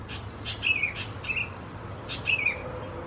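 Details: Young Sooty-headed Bulbuls of subspecies thais, recorded 17–20 June 2020 in Khao Yoi, Phetchaburi, Thailand, give three high, sliding chirps that dip in pitch at the end, spaced irregularly, with faint clicks between them.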